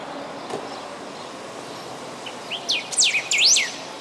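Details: Song of a golden-billed saltator, subspecies parkesi, recorded 4 September 2016 on road RS 392 near Canguçu, Rio Grande do Sul: after quiet hiss, a short rising note leads into loud, steeply rising and falling whistles, with the final notes strongest.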